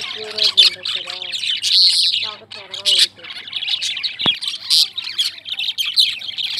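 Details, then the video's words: A continuous chorus of lovebirds gives shrill, overlapping high chirps and twitters. Short lower harmonic squawks appear early on, along with a single sharp click midway. "Love Birds Chirping"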